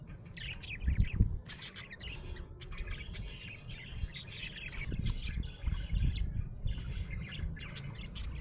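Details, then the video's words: Happy budgerigar chirping: rapid scratchy chirps and short warbled notes in quick irregular bursts, over heavy low rumbling thumps and handling noise. "Happy budgie chirping sound"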